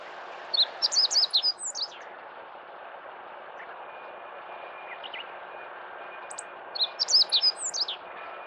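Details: Meadow bunting singing in central Hyogo (Kita-Harima), Japan, on 10 April 2021, song known as 一筆啓上: two quick bursts of high, sharp chirped notes about five seconds apart, over a steady rushing background noise.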